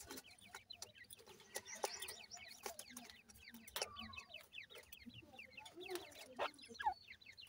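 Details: Grey francolin chicks calling for their mother: a continuous chorus of faint high downslurred peeps, with scattered clicks and rustles.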